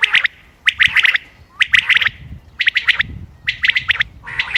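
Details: Common quail calling on 28 May 2025, recorded for hunting: crisp groups of three to four sharp, liquid notes, one phrase about every second, evenly repeated over a quiet background.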